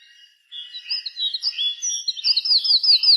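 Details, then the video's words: Several birds chirping in the afternoon at dusk, with overlapping high twittering notes building in loudness and ending in a fast series of bright repeated upslurs. "the sound of birds chirping in the afternoon"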